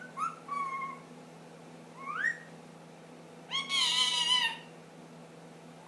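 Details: Young pet ringneck, ten months old, starting to whistle the Addams Family song: short clear whistled notes, some falling, one sliding upward, then a loud harsh squawk, in a quiet indoor setting.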